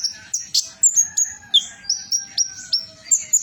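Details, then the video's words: Van Hasselt's sunbird, a metallic plumage mutation, in trotol song: steady repeated high, sharp downslurred notes, about three per second, over a faint lower whistling tone. "Kolibri ninja trotol Ganass,mutasi metalik"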